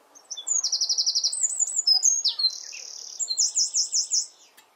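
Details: Near its nest in a garden, a Eurasian wren pours out a loud, high song: a quick rattling trill, ringing twitters, a sustained buzzy trill, then a series of rhythmic sweeping notes, ending cleanly.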